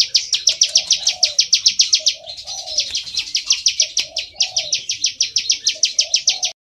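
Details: Field prinia song used as trapping playback, with bar-winged prinia named: rapid high, clicking notes in bursts, slightly uneven in pace, pausing briefly twice, over quieter low warbled calls.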